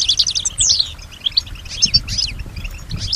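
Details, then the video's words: Female European goldfinch reacting to other sounds: quick twittering notes, a clear descending slurred whistle near the start, then scattered high chirps over faint low noise. "Solutions to keep your goldfinch healthy and singing with strong stimulation"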